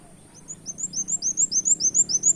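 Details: A brown-throated sunbird mimics a canary in a lure recording, starting quietly and swelling into a rapid train of thin, high, rising chirps.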